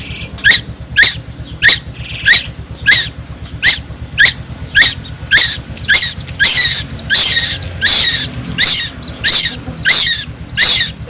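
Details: Long run of a young tuwu from Timor Island singing loudly and constantly: sharp raspy squawks at a steady pace, growing broader and harsher midway, over a continuous low hum.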